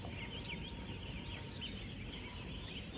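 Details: Some 16,000 ten-day-old ducklings living together on a real duck farm: a brief burst of thin, downward-slurred peeps, densely layered from countless birds, with constant low machine-like rumble beneath.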